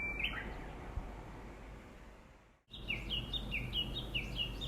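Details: Wild bird calling near a home in a nature-rich area: a brief descending chirp series opens, then after a short break a run of quick repeated high, downward-slurred notes, about two per second, over a low steady background hum.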